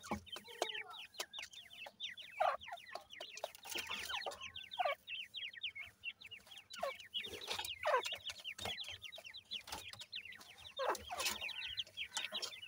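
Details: Over about twelve seconds, many grey francolin chicks peep while being fed: shrill, downslurred notes in dense overlapping runs, with repeated brief knocking sounds.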